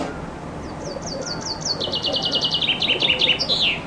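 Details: A common chaffinch sings under a window in summer, captured from a loggia on a compact camera; high sharp notes speed up into a rapid trill that slides lower and finishes with a brisk downward flourish.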